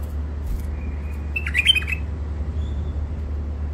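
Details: Songbird caught wild around the Mandali crossing, Iraq, kept in first isolation, gives one brief burst of bright chirped and whistled notes, then falls quiet over a constant low electrical hum.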